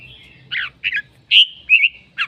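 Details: Red-whiskered bulbul singing: loud slurred whistled phrases with warbling notes, broken by short pauses, over faint low background hum.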